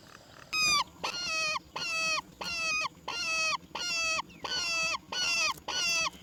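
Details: A roller chick gives harsh, nasal begging calls, short slurred squawks about every two-thirds of a second, as its mother brings black crickets to feed it.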